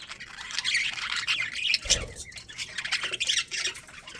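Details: Budgerigars in a breeding colony with a breeding pair, giving dense overlapping chirps and squawky warbles, high and scratchy, with a brief louder burst near the middle.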